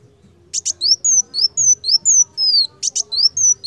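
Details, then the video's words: A sunbird (kolibri wulung) in full song, used as a tutor recording, gives a rapid, very high run of thin, slurred whistles broken by sharp paired chips, about four notes a second, over a faint low hum. "KOLIBRI WULUNG GACOR"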